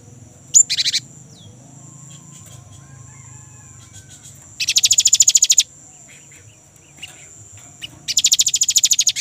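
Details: Young great tit, a lure recording for kept birds, in the rolling style known as ngerol: a sharp high note, then dense buzzy rattles of about twelve rapid pulses in bursts a few seconds apart, over a steady high whine.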